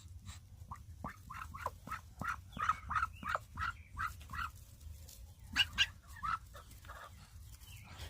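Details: Broody Muscovy hen sitting on eggs for about a week and a half gives quick short breathy chirps, about three per second, then sharper squeaks over a low hum, defending her nest from being checked.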